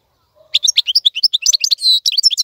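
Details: European goldfinch singing a tutoring song for young birds, a rapid run of bright, high chirps and twitters with one longer buzzy note near the end.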